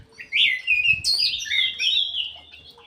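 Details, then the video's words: Aviary-kept ground thrush singing actively: a continuous, fluent stream of clear whistles sliding up and down, with a sharp high-pitched note in the middle. "PUNGLOR JALI GACOR"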